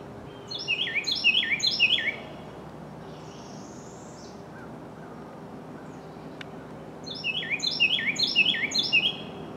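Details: A Carolina wren (Thryothorus ludovicianus) in dense forest near Pigeon Forge, Tennessee, gives two loud bursts of rapid, rolling phrases of high, downslurred whistled notes, separated by a quiet pause over a low outdoor hum.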